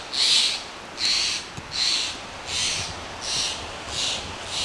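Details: A crow or raven in Pacific Northwest mountain forest near a waterfall, on a June weekend, squawks at a person it has spotted. Harsh, loud squawks come about once a second in a steady series over faint wind or forest hiss.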